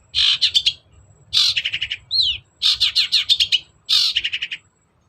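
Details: Long-tailed shrike lure song meant to provoke a reluctant bird into singing: four loud bursts of rapid scratchy, buzzy notes, each about half a second long, with a brief downslurred whistle between them.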